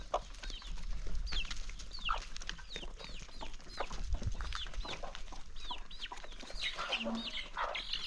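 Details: Chicken flock at its first meal of the day on a calm country morning, with a steady stream of arched, falling peeps, some clucking, and rapid pecking taps throughout.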